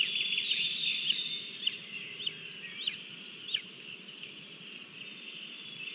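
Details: Lesser spotted eagle chick at a Latvian nest, 27 June 2022, waiting to be fed after leaving a small mouse; high piping whistles with a few sharp rising-falling notes about every half second, then softer.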